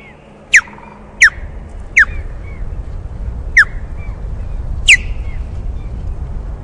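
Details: Female osprey at the Loch of Lowes nest, Scotland, alarm calling after chasing an intruder and returning to the nest: five sharp, high, downslurred whistles spaced about one to one and a half seconds apart, over a low wind rumble.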